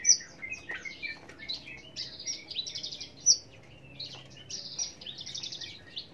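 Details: Australasian bushlark sings a busy, varied stream of high twittering notes and short buzzy trills, with sharp accented chips near the start and middle, over faint background hum.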